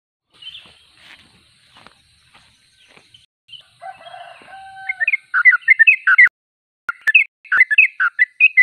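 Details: Sooty-headed bulbul singing in full voice: faint scattered notes at first, then a loud burst of quick, bubbling, chirpy notes in the second half, with a brief steady tone partway through.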